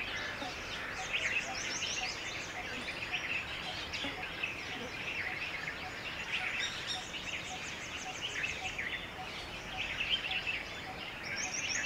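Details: On a hot summer day, a flock of red-vented bulbuls bathing and drinking at a water puddle gives a dense chorus of overlapping chirps and short bubbly notes, steady throughout over a faint hiss.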